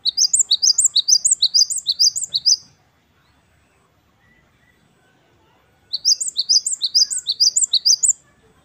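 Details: Gelatik batu wingko, the Great tit, in lively wucit-wucit kristal song. Two long, steady runs of rapid, piercing high notes, each about fifteen strokes over two and a half seconds, are separated by a three-second silence.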